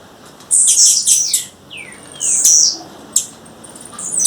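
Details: Female blue-black grassquit calling in the wild: a high buzzy burst ending in descending slurred whistles, a second hissing buzz, then a lone sharp chip.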